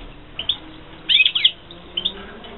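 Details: Short burst from captive European goldfinches bred in 2016: a couple of soft chirps, then a dense tangle of rapid, sliding twittered notes, then two more brief chirps.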